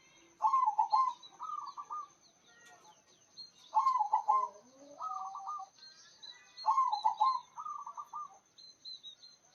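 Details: Local zebra dove singing actively with a loud voice: three rolling, cooing phrases about three seconds apart, each a burst of quick coo notes ending in a trilled flourish. Thin chirps of other birds and a steady high whine run behind.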